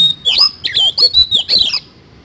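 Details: Oriental magpie-robin (kacer) singing vigorously in the 'isian kasan' style: a dense 1.5-second burst of loud, high whistled notes bending up and down, mixed with harsh scratchy squawks, then silence.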